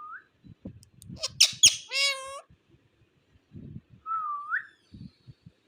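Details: Talking ring-necked parakeet imitating foreign-language words: a short rising whistle, a hoarse string of speech-like syllables, then a clear upward-sliding whistle, with faint soft thumps in between.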